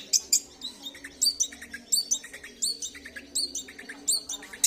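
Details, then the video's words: Long-tailed shrike song, a varied run of short high chirps and twittering notes, some hooked and some sharply rising, coming in irregular bursts about once a second, with a faint low steady hum underneath. "Cendet tampilan mewah"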